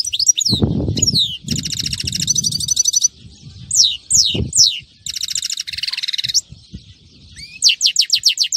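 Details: Singing European goldfinch, a Friday recording: fast liquid twitters, buzzy rattling trills and steep descending whistled sweeps in rapid alternation, over soft low rustling noise.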